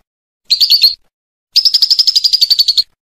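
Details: Lovebird masteran recording for training other birds, ngekek style: two rapid, buzzy chattering trills, a half-second burst then a longer one of about 1.3 seconds, separated by a short silence.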